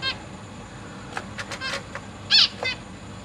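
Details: Caged zebra finches, 12 August 2023, parents busy feeding fledglings and juveniles. A run of short nasal beeps and harmonic chirps, one louder buzzy note standing out near the end, over low background hum.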